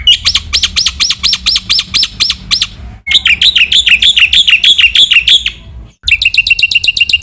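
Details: Black-winged myna masteran training song, edited with many fill-in phrases, meant to stir other mynas: fast series of sharp arched whistled notes, then a rippling warble, then a high repeated trill, separated by abrupt cuts.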